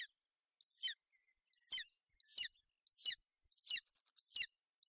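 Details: Golden eagle at a nest in Bucovina on 28 May 2021: a female shelters her chick from inclement weather while the chick chirps. High, sharp chirps repeat irregularly, roughly every second, with quiet gaps between notes.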